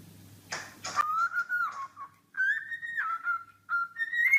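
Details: Cockatiel singing: two brief harsh bursts, then a string of clear whistled tones, some held and some wavering, sliding gently up and down with short gaps between phrases.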